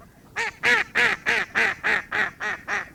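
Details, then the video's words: A duck quacking in a quick, regular run of harsh, nasal notes, roughly three per second. "HÌNH ẢNH VÀ ÂM THANH VỊT KÊU"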